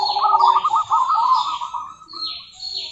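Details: Rolling, stuttered low coos from a local female zebra dove calling to a rival, fading toward the end, with faint higher bird notes above.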